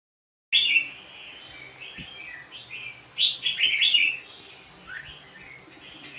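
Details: Red-whiskered bulbul in Vietnam, caught in a trap amid fighting, singing loud rapid whistled and warbled phrases, bright and jumpy, with a second dense burst midway and softer notes trailing off.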